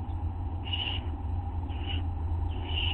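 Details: Owlets at a nest, recorded at 1:29 AM on August 9, 2011, as an adult drops off a tiny mouse that one owlet swallows; three short hissing screech bursts about a second apart over a steady low hum.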